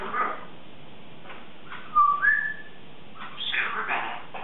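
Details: A 3.5-year-old female Congo African grey parrot vocalizing indoors in the morning while practicing words: a soft mumble, a clear two-part rising whistle near two seconds, then a burst of fast, speech-like chatter.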